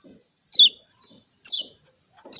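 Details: Two loud, bright descending chirps about a second apart from a Lombok lemon-bellied white-eye, with a third starting at the end, over a faint hiss and soft low drips.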